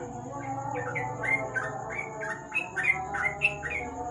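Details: Sooty-headed bulbul under a lamp at night, singing ropel style: a series of short, slurred whistled notes in quick succession, growing louder, above a persistent low hum and a faint high-pitched whine.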